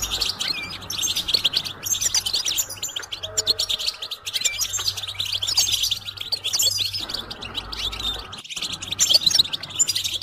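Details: Goldfinch song for teaching chicks and songbirds, a dense twittering chorus of rapid chirps and trills over a faint low hum, with a steady tone briefly heard midway.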